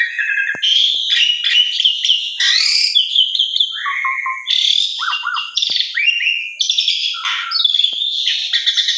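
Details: An Asian pied starling sings a rapid, unbroken jumble of clear whistles, liquid slurred notes and harsh, scratchy chatters, shifting between high and mid pitches; the recording is played to lure other pied starlings into singing.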